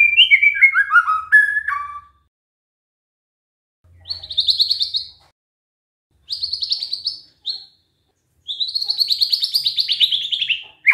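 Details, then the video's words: White-rumped shama, a cage bird, imitating canary: a descending series of clear whistles, then three bursts of fast high buzzy trills separated by silence. "murai batu bongkar isian KENARI"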